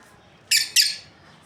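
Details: Breeding pair of lovebirds giving two loud, harsh, high chirps in quick succession, each broadband and scratchy, over a quiet background.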